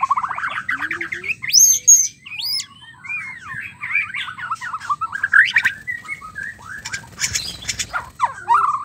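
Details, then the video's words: Varied, energetic white-rumped shama mating song, intended to trigger a male's singing. Dense warbled phrases mixing rapid trills, high whistles and chattering notes continue throughout, with a brief noisy rasp near the end. "MURAI BATU KAWIN BIKIN jantan ngamuk gacor seketika dgn suara murai batu kawin"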